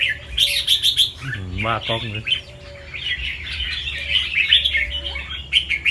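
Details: Caged albino red-whiskered bulbul with red eyes, a competition-line singer from Chonburi, Thailand. It gives fast, chattering warbled phrases, while a man speaks briefly partway through.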